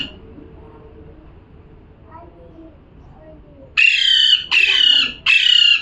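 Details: A parrot gives its calling sound after a few quiet seconds of low background hum: three harsh, rasping squawks in quick succession near the end.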